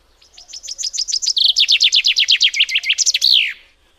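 A common chaffinch sings one bright song lasting about three seconds. It runs through a falling series of high notes, then a faster trill, and ends in a descending flourish.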